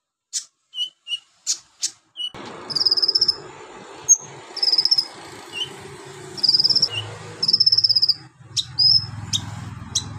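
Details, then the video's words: Van Hasselt's sunbird (kolibri ninja) in full song for bird tutoring, mixing in golden grasshopper, lovebird, cricket and cililin imitations: sharp clicks and chips, then repeated high insect-like buzzing trills over steady low background hum. "KONIN GACOR NGOBRA ISIAN BELALANG EMAS LOVEBIRD CILILIN BUAT MASTERAN"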